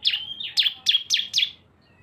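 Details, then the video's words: Cisem song used as a lure blending two birds: five loud, sharp downward-sweeping chirps about a quarter second apart, linked by a steady high whistled tone, in a quiet setting. "CISEM GACOR ‼️ SUARA BREN kombinasi 2 burung"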